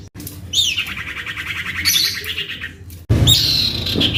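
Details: Young male common iora, a lure bird, opens with a high downward flick into a rapid buzzy rattle lasting two seconds, breaks off, then resumes with another sharp descending note and trill.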